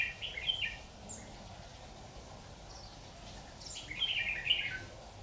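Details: Red-whiskered bulbul decoy at a trap, 26 October 2019: a warbled phrase at the start, a pause, then another louder rippling phrase near the end, over a light environmental hiss.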